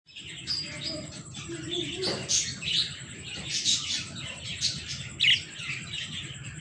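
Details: Budgerigars chatter in quick, scratchy chirps and warbles, a busy run of high twittering from a mating pair on eggs.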